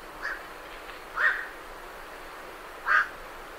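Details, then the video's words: A night heron leaving its roost gives two loud, gruff single croaks about two seconds apart, with a fainter call at the start and great reed warblers in the background. "Night Heron Calls"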